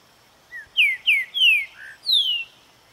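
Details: A Green-winged Saltator filmed at an inn in Vargem Bonita, Minas Gerais, Brazil, sings a quick phrase of five or six clear, high, slurred whistles, most sliding downward, over about two seconds against a quiet background.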